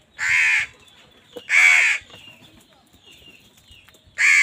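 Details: Crows competing with wild birds for food give three loud rasping caws, roughly one to two seconds apart, with faint bird twitters in between.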